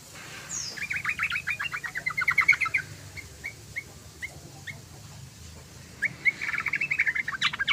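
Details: Yellow-vented bulbul in full, lively song, used as a lure for other bulbuls: rapid bubbly chattering bursts of short notes, a pause with single chirps every half second, then another fast chattering run.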